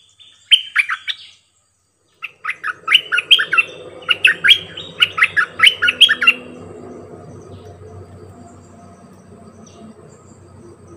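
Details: Bulbul kept as a decoy bird, singing many songs: a short warbled phrase, a pause, then a run of about ten loud, liquid, chopped whistled notes. A steady low rumbling noise follows and lingers to the end.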